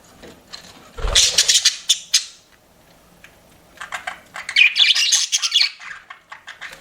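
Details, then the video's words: Chirping pet budgerigars, said to be flirting. Two short spells of rapid scratchy chirps and squeaks come with a soft thump, then near-silence in between. "CUTE PET BUDGIES CHIRPING"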